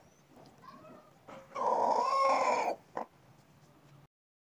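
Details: A young red Desi rooster drinking water beside a black hen suddenly gives one short, hoarse crow of about a second, rising slightly then holding steady, apparently startled, with a soft click after and quiet hum.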